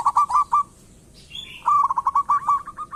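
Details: Local zebra dove singing as a lure for other birds: quick rolling coos, a short gap with a faint higher whistle, then a loud, fast, evenly spaced string of trilled notes.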